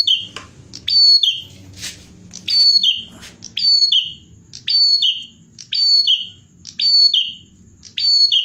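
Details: Bar-winged prinia singing actively, used as a tutor recording for songbirds: a sharp, high chirping phrase with a falling tail, repeated about once a second, over a faint low hum.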